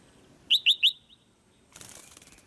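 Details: A caged female white-eye, calling to stimulate the male's louder singing, gives three quick high chirps that drop in pitch, followed by a rustling flutter of wings.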